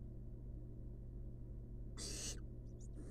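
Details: One loud, noisy hiss followed by a fainter trailing rasp from barn owl nestlings resting in a wild nest box, with a steady low drone throughout.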